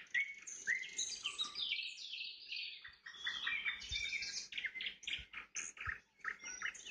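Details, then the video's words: Sunset nightingale song: rich trills and sweeping high whistles packed closely together, some louder rising notes early on, continuous throughout with short dips. "Пение соловья на закате, соловьиные трели"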